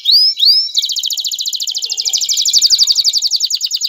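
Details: Male canary singing to prepare a female for mating and stimulate her nest building: two quick rising whistles, then a long, very fast, even trill of high bright notes lasting about three seconds.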